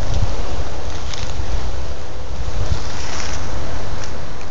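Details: Heavy wind roar and low thumps overwhelming the microphone, with no animal sound.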